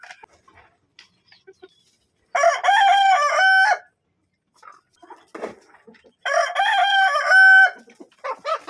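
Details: A Kadaknath rooster gives two full, ringing crows about four seconds apart, each rising then holding a loud harmonic note, with soft clucks and faint noises between; chicken crowing.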